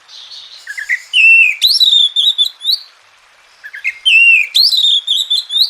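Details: An Oriental magpie-robin sings, meant to coax silent birds into singing: two long bouts of bright whistled notes and sweeping slurs, split by a brief quiet gap near the middle.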